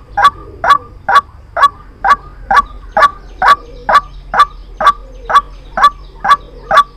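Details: White-breasted waterhen call recorded as a trapping lure, delivering steady, evenly spaced harsh notes a little over two per second, each a loud clipped croak, sustained without pause over a faint low hum.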